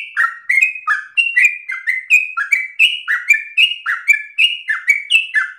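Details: Sooty-headed bulbul singing 'ropel' style: a dense run of quick, slurred chirps hopping between upper and lower notes, steady and persistent, recorded clean with no other birds.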